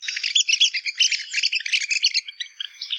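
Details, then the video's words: Rapid, dense chatter of high, squeaky notes from red-cockaded woodpeckers, tumbling without pause for three seconds like a quick conversation. "Red-cockaded Woodpecker Call"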